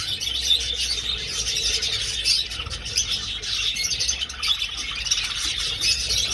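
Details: Budgerigars in an old aviary keep up a thick, unbroken chatter of high chirps and squeaky warbles, with a low background hum throughout.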